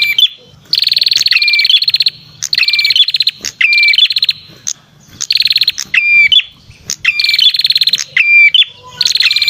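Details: Lure call of a red-headed prinia: loud, fast-ticking trills broken by short level whistles, cycling again and again with brief pauses between phrases.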